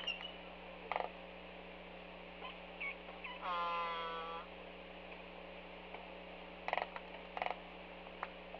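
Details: At a nest site on Kauai's North Shore, an adult Laysan albatross dancing with another adult gives one drawn-out, nasal, harmonic moan near mid-clip, between scattered dry clacks, over a steady electrical hum.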